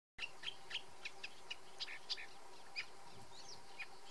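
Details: Great reed warbler (Acrocephalus arundinaceus) singing in the Pissevaches reedbed: harsh, grating notes repeated about three times a second, over a low rumble and a faint steady hum.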